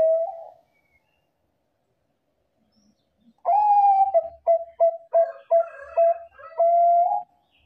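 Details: Bangkok zebra dove in full song, used as a lure to make other doves respond: one soft low coo, silence, then a long mellow note, a burst of rapid staccato coos and a final drawn-out coo, recorded cleanly without other sounds.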